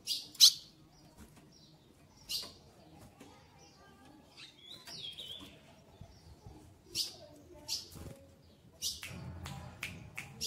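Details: Ultramarine grosbeak female soliciting mating, keen to breed. Sharp high chips sound at intervals, with a brief thin whistled note midway and a quick burst of chips near the end.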